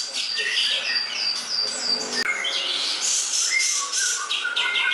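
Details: Greater green leafbird (cucak ijo) in a tutor recording for songbird training pours out rapid, varied twittering: short descending whistles, sharp chips and rolling trills, with one brief click partway through.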